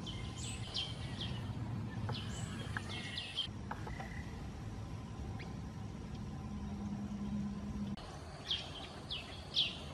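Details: Greater green leafbird recorded on 23 September 2012 beside Kaeng Krachan National Park, Phetchaburi, Thailand: bursts of sharp high chirps and downslurred whistles, a pause with a brief mid-pitched note, then more chirps near the end, over constant low background hum.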